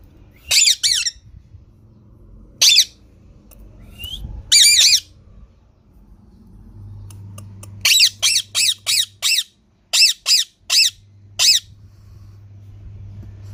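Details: Green parrot squawking in scattered single harsh notes, then a rapid burst of about ten raspy squawks, over a steady low electrical hum.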